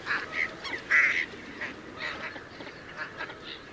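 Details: Northern shoveler uttering a few short nasal calls, the loudest near the first second, followed by softer scattered notes over a quiet hum.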